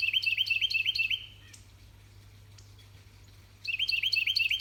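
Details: Spring morning Carolina wren in a mid-eastern Georgia garden, calling its mate about a nest site it found; bursts of quick, ringing two-note whistled phrases repeated about five times, a pause, then the rolling series resumes.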